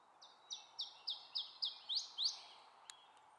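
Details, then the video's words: An Iberian chiffchaff at Bergelen, Gullegem, on 12 April 2012 sings a brisk run of about seven high, clipped notes, roughly three per second, ending in higher upslurred notes over a soft hiss. "Iberische Tjiftjaf"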